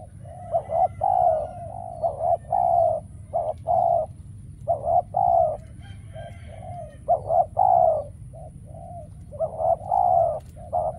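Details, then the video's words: Spotted dove acting as a lure while trapping wild doves, which are now hard to find. Repeated deep coos in clustered groups, alternating short pulses with longer drawn notes, against a faint constant background hum. "Bẫy Chim Cu Gáy , Cu Gáy Bổi Giờ Hiếm Quá Mồi Kêu Vậy Mà Chả Thấy"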